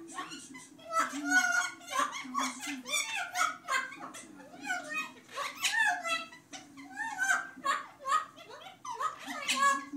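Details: Two parrots, one off-camera, laughing: rapid bursts of raspy, voice-like 'ha-ha' pulses with bright harmonic notes, in clusters of several beats separated by short pauses across the whole stretch.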